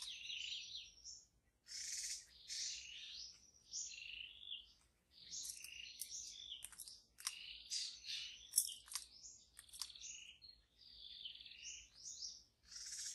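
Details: Song of a wild white-rumped shama in forest: a long run of varied high chirps, warbles and sharp clicks, fairly quiet and continuous with brief pauses.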